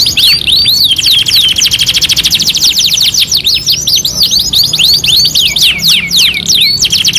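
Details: Canary song from a two-in-one master recording: dense rapid trills of high whistled notes, with fast rising and falling sweeps scattered through, continuous and loud with no pauses.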